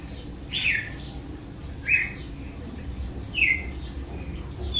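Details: Red-cowled cardinal delivering its açoite song style: three strong downward-slurred whistled notes, roughly one every one and a half seconds, over a low steady hum.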